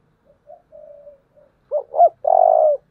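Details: Spotted dove with a tense 'Thúc' coo in 'thổ' style, a standard model for decoy birds. Quiet murmured notes come first, then a loud phrase of two hollow hoots and a long, even, vibrating coo.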